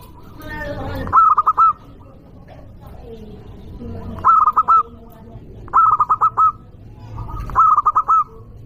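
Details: ['Loud local zebra dove used as a lure to anger rival birds: four rolling cooing phrases, each a short run of clipped notes closing on a longer coo, about every two seconds, with faint voices and low murmur beneath.']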